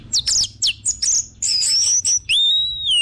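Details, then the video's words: Orange-headed thrush singing to lure other birds into song, with rapid high chirps running into a sustained bright whistle and a long falling slurred note. "BAGUS UNTUK PANCINGAN BURUNG ANIS MERAH BIAR TELER DAN GACOR"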